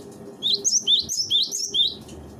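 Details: Cinereous tit, master recording for training birds: a fast, continuous string of high, sharp, bouncing whistled phrases lasting about two seconds over faint low background noise.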